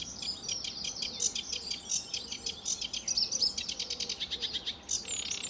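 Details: Lively sedge warbler song, early morning at RSPB Fowlmere, July 2013: a rapid, jumbled chatter of high scratchy notes building into a fast stuttering sequence before a brief pause.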